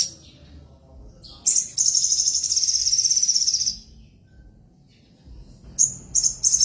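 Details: Caged crested jay missing its tail, singing in full voice: after a quiet start, a long, dense, high-pitched rattling trill lasts about two seconds. Silence follows, then short bursts of the same rapid rattle near the end.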